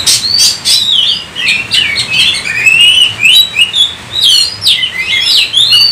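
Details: Oriental magpie-robin pouring out varied song, opening with loud harsh rasping notes, then fluid whistled slurs and trills rising and falling in quick succession, little else audible.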